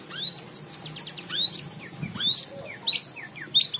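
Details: White-rumped shama singing high, sweet whistles that rise steeply, interspersed with short descending slurs and quick chips, in bursts roughly every second.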